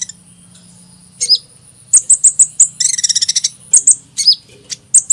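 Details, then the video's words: Hummingbird song opening with a few soft notes, then evenly spaced piercing chips and a rapid stuttering trill of tiny ticks, ending with more sharp high chirps. "Kicauan Burung Kolibri"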